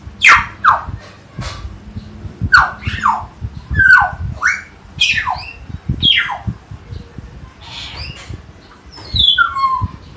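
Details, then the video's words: Common hill myna at Jatiasih, Bekasi, repeating loud, clear calls that swoop sharply downward, about a dozen over ten seconds, some paired, with a soft background hum and faint knocks. "Beo "Si Jojo" Gacor suara alam"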